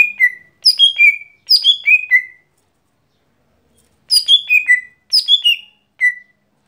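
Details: Gotri, the lesser green leafbird, during its daily song: pairs of falling whistled cascades, a quiet spell of nearly two seconds, then further cascades and a lone closing note.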